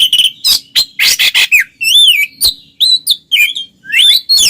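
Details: Twin Oriental magpie-robins in full ngeplong song, used to provoke silent birds: rapid raspy chatters give way to a clear wavering whistle, then sharp clicks and varied twittering phrases.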